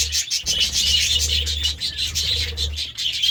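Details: A flock of budgerigars feasting on vegetables, producing a steady, busy chatter of high warbled chirps with quick clicks throughout.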